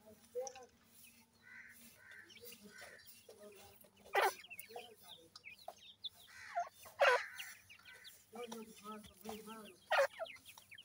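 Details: Grey francolin chicks calling while being fed: a busy stream of short, thin, down-slurred peeps and chirps, with occasional loud sharp knocks and rustles and a low steady hum underneath.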